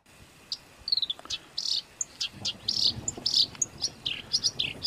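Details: Songbird training recording in a harsh, rough-burst style for pet and contest birds: sharp high chirps, slurred whistles and buzzy notes come in quick uneven bursts over a soft hiss.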